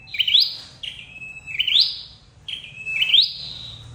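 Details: Red-headed flowerpecker voice used to lure birds into traps. Piercing upward-swept whistles ending in a drawn-out high tone, three phrases at an even pace, with soft low background noise.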